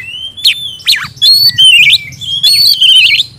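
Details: Short oriental magpie-robin song excerpt used to stimulate silent birds, with a long whistle, two sharp downward sweeps and loud warbling phrases over a faint low hum.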